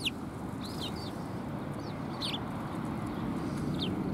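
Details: Sparrows arriving to be fed at a Tenmangu shrine in December 2020, giving a few scattered high chirps, some with a rising-falling curve, amid continuous low background noise.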